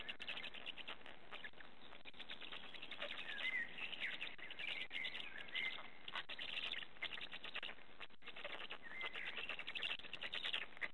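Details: Black storks at the nest feeding chicks, 2008: a steady mix of high, wheezy chirps and squeaks over crackling, rustling clicks, with a few clearer whistled notes.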